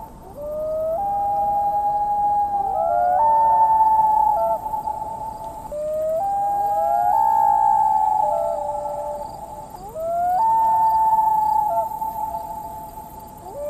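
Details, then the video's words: Common loon giving long, mournful wailing notes that slide up and hold, in three phrases about four seconds apart, with overlapping voices. "loon call"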